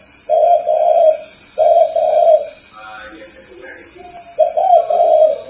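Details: Spotted dove repeating low, purring two-part coos. Two phrases come close together, then a gap with faint chirps and clicks, then a third phrase. A steady high-pitched electrical tone is present throughout.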